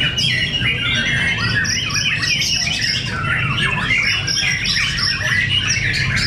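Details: Fierce singing bout between fighter white-rumped shamas at Cibinong. Crowded high chattering and whistled notes pour out without pause, several birds overlapping, above a low droning background.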